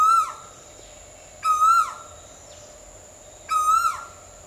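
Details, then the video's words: Three loud Asian koel calls, spaced roughly two seconds apart, each a strong ringing note that bends down at the end, with quiet steady hum between them. "Mesmerizing Asian Koel Birds' Sounds"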